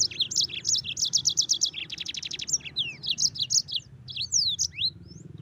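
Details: Chattering yellow-fronted canary, a tutor song for white-eyes: dense run of high chirps and rapid trills, then sweeping slurred whistles and quick twitters, over a low background hum.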